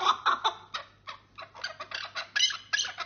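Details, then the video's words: Chukar partridge gives a rapid run of harsh, clucking chuk notes, about three or four a second, rising in energy toward the end, over a faint low hum. "Keklik Sesi"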